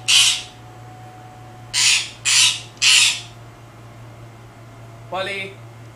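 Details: Pet parakeet barking to get attention: one harsh, raspy burst, then three more in quick succession about two seconds later, and a shorter harmonic squawk at the end, with a steady low indoor hum beneath.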